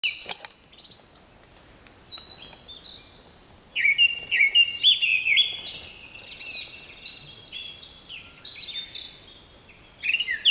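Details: Japanese thrush singing in Nagano Prefecture, Japan, 16 July 2011, in the mountains, perched directly overhead: bursts of rich, varied fluty whistled phrases with quick higher twitters every couple of seconds against a quiet background.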